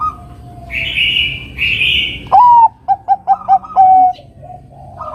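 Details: Zebra dove of the Bangkok type singing lively as a lure to provoke a rival into song: a rising opening note, a run of short staccato cooing beats, then a long level coo, after fainter higher tones.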